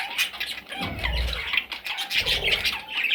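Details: Parrot chicks give short, harsh squawks in quick succession, with a brief low rumble partway through.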